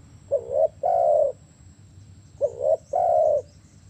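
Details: Spotted dove coos in two phrases, each a short rising note then a longer, steady mellow coo, the second phrase about two seconds after the first, over a low background hum.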